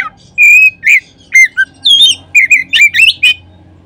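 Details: Oriental magpie-robin singing in a lure recording intended to make any magpie-robin sing instantly: an opening drawn-out whistle, then rapid varied phrases of rising and falling whistles and sharp chips, nearly continuous for four seconds.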